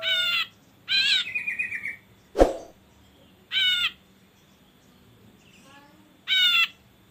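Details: Ashy drongo lure sounds, used to stir birds into song: repeated nasal, harmonic buzzy notes, one trailing into a steady whine, with a sharp click in between and a faint descending warble.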